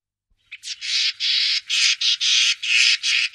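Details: Common starling, Wittlich, Germany, 2017, uttering a steady series of loud, harsh, grating squawks, about eight in three seconds, evenly spaced with short gaps.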